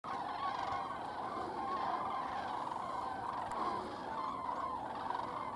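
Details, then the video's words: A large flock of common cranes leaves the Strabrechtse Heide, Netherlands, on 23 January 2016, calling at once with loud, rolling trumpeting notes that overlap into a constant, clamorous chorus. "Kraanvogels (Common Crane, Grus grus)"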